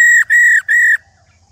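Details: Old wild-caught female laughingthrush giving its rò call, played to stimulate male birds to sing: three loud, steady, pure whistled notes on one pitch, each about a quarter second long, with short gaps and quiet low hum beneath.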